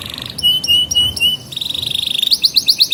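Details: Canary song as a lure for young canaries: steady whistled tones broken by clicks, a rising rolling trill, then sharp bright notes repeated about five times a second.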